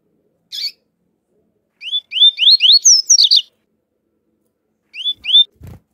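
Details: A male Double-collared Seedeater of the "flautado" song type sings quick, clear upslurred whistles in short bursts against a female calling, with a brief high chip at the start and a soft thump at the end.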